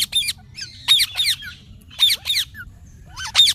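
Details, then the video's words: Parrot mimicking the words "mummy papa", a scratchy, nasal, high-pitched voice sounding out two-syllable groups in four bursts about a second apart, with a soft falling squeak between them and a quiet low hum behind. "Mummy Papa Bolney wala tota 😱 / Talking Parrot"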